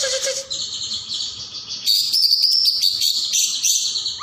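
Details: Greater green leafbird, known locally as caijo, in full voice for songbird training: after a faint low tone, bright high twittering and sharp rapid chips, sustained in quick, irregular bursts.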